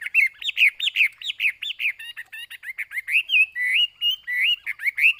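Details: Caged Chinese hwamei singing: loud, rapid series of looping whistled notes repeated about twice a second, then shifting into drawn-out rising and falling whistles and varied phrases, clear and close with no background sounds.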